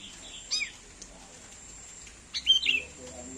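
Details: Sooty-headed bulbul imitating a cat, with a short falling mew-like note, then after a pause a louder cluster of slurred descending notes, over faint background hiss.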